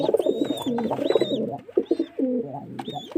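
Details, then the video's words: Dense, low pigeon cooing with stuttering, bubbling notes running almost without pause, and occasional high, drawn-out chirps from other birds. "Pigeon sound"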